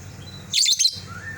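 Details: A caged lovebird calls to its companion that has left the cage: one shrill, harsh, high screech broken into two or three quick pulses, standing out over a low steady hum.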